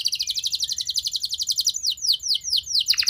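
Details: Canary song for drawing other canaries into singing: a steady, fast, pulsing trill of high notes, then several loud falling whistles and a final dropping buzzy note.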